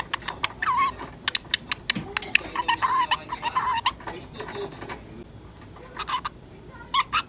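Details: Ten-month-old female budgerigar, a pet, talking by copying another budgie's speech and movements: soft, quick, mumbled speech-like phrases with sharp clicks and brief squeaks, pausing now and then, over a low room hum.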